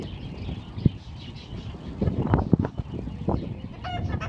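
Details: Free-ranging young roosters from two flocks of four, out together for the first time, fighting for a hen; short clucks and thumps cluster midway, followed by a faint strained call at the close.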